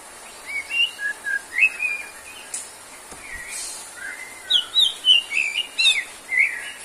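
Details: White-rumped shama song used as therapy for birds lacking stamina: scattered sweet whistled notes, then a quicker string of bright upslurred and looping whistles with a few clicks, over a faint hiss.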